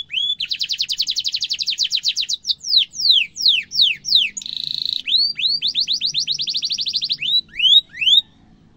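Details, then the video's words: Canary song used to tutor young and adult canaries: long rolling trills of rapid high notes, then a run of downward-sweeping whistles, a brief buzzy burst, and another fast trill ending in rising slurred notes. "kenari gacor ngeroll panjang cengkok mewah efektif untuk masteran burung kenari muda dan dewasa"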